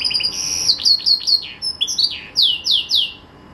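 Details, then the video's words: Caged green canary at Jaesan delivers a varied high song: short whistled trill, several bright sweeping notes, and three loud descending whistles at the end. "Kicau Merdu si KENARI Ijo"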